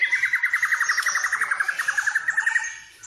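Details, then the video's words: Fill-in-rich lure song of a white-rumped shama meant to stimulate other birds to sing: a long, even, rapid rattling trill of about ten notes per second, fading out at the end. "pancingan burung murai full isian"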